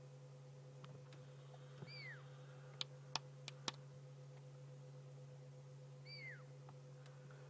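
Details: Fork-tailed drongo mimicking the high-pitched whistle of a pearl-spotted owl: two clear, downslurred whistles about four seconds apart, with a constant low hum and a few sharp clicks.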